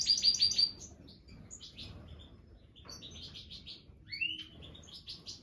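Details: Black siskin at its nest with the first egg laid, giving bright, high twittering chirps in quick clusters, a rising whistled note near the end, over faint low background rumble.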